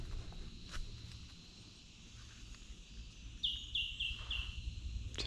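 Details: In wet sclerophyll forest, a White-throated Treecreeper gives its piping call, a short series of four high notes at an even quick pace, over low rumbling background noise.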